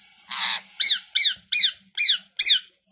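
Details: Parrot talking in a room: a short raspy sound, then five loud, evenly spaced, chevron-shaped squeaky syllables about every third of a second.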